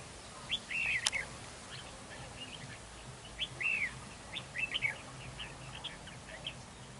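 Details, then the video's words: Decoy red-whiskered bulbul at a trap during a territorial fight, singing bright slurred whistled phrases repeated about every second and a half, with a sharp click near the start. "Bẫy đấu chào mào"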